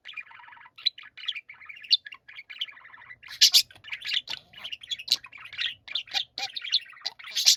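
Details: Budgerigars in a group chorus, a busy warble of burbling trills, squeaks and bright chirps layered over one another. The chatter grows louder and more crowded in the second half, over a faint low hum.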